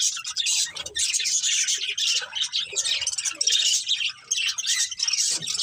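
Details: Budgerigars, a breeding pair, chirping: a dense, continuous warble of high, scratchy twitters and chatter with hardly a pause.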